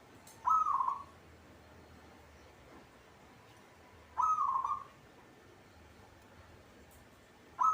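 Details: Local zebra dove kept caged, singing well, with brief bubbling cooing phrases spaced nearly four seconds apart, two full and a third starting at the end, over steady low hiss.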